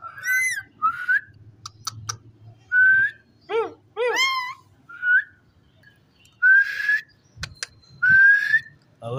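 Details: Ring-necked parakeet talking: a string of clear rising whistles mixed with wavering, voice-like syllables, with brief sharp clicks between phrases over a low background hum.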